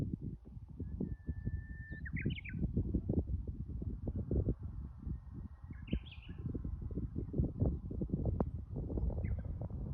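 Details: Japanese bush warbler on Mount Yahiko gives two songs. Each is a held, flat whistle ending in a short, sharp flourish of higher notes. Constant low rumbling and knocking run underneath.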